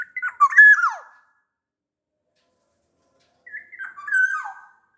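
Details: Black-naped oriole from Sumbawa, a large-bodied bird used to coax lazy orioles into singing: two fluty whistled phrases with a sharp downward slur, separated by a pause of about two seconds.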